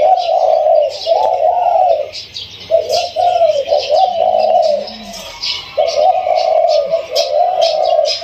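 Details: Newly caught captive spotted dove with a mid-to-large voice, kept by its owner. Repeated rounded, hollow coo phrases come in steady bouts, accompanied by soft high chirps and background rustle.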